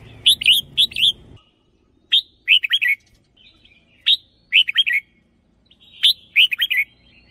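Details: Red-whiskered bulbul kept caged as a decoy, singing a doubled phrase style: crisp bubbling three- to four-note whistled phrases repeated about every two seconds, with a low rumble at the very start.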